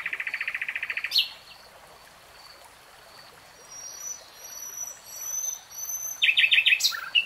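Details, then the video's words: Common nightingale singing: a fast buzzy trill of evenly repeated notes opens, then faint high thin whistles, and a burst of sharp clicking notes near the end, over a steady hiss of background noise. "Nightingale Singing"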